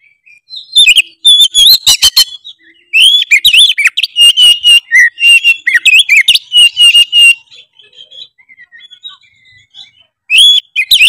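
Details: Oriental magpie-robin singing loud, continuous gacor ngeplong song that is said to make other magpie-robins emotional. It gives a long stream of varied whistles, trills and buzzy chirps, fades to soft twitters, then bursts out again.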